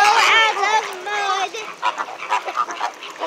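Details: Loud captive flamingos at SeaWorld: several clear, drawn-out nasal honks at the start, then quieter, choppy calls and background chatter.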